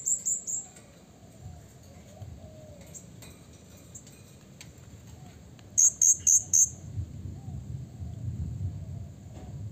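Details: Blue-crowned hanging parrot calling to provoke rival birds: a few shrill notes open, then after a quieter gap a sharp series of four piercing high notes, with low rumbling noise behind.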